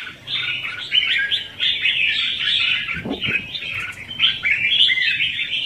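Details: Decoy song of red-whiskered bulbul, 'hót ché - xòe' style, for trapping and stirring birds to sing: rapid overlapping chirps and warbled phrases, with a short low thump near the middle.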